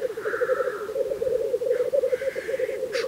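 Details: At a spring black grouse lek in Russia, a dense low bubbling chorus runs continuously while drawn-out higher hoarse calls and a sharp hiss break in above it.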